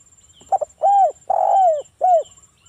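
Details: Local spotted dove used as a lure to get other doves calling: it coos a soft, low phrase, a quick stuttered double note, then three hollow coos, the middle one longest and falling at the end.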